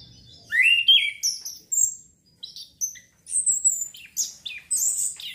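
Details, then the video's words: Chestnut-capped thrush singing, played to trigger breeding urge so the bird sings readily: rich rapid run of shrill whistles, rising and falling slurs and sweet trills in continuous short phrases, clean background. "TERAPI ANIS KEMBANG PUNGLOR MEMANCING BIRAHI BIAR CEPET GACOR"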